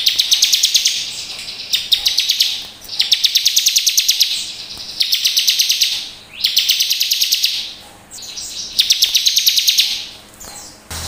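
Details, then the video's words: A bar-winged prinia (ciblek) sings bursts of rapid, high, rattling notes, each burst about a second long and repeated every two seconds or so. "suara ciblek gacor penuh emosi"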